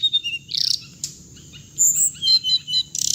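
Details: Hồng hạnh bird recording used as trapping playback: short high chirps, a quick buzzy rattle, and later warbled whistled notes ending in a fast rattling trill, above a steady thin drone.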